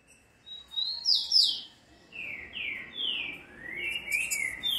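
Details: Green-winged saltator, described as a true trinca-ferro; loud clear whistled phrases, a rising note then a series of descending slurred whistles, with faint chirps of other birds in the background.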